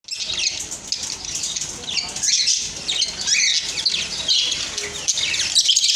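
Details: Budgerigar; contact calls; socializing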